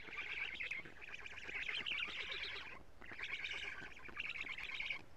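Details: Black stork nest in Estonia on a live nest camera, morning of 14 June 2017, as the adult female brings many lampreys to the nestlings. Two long bursts of rapid, raspy, pulsed chattering, split by a brief pause near three seconds.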